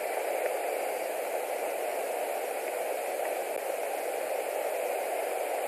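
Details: Steady broadband hiss of static throughout, with no animal calls heard.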